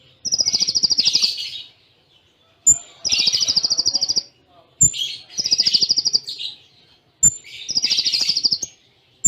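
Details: Konin (kolibri ninja) master song in the cililin-imitation style with short gaps: bright, rapid high trills in bursts of about two seconds, repeated roughly every two and a half seconds, with sharp clicks between phrases.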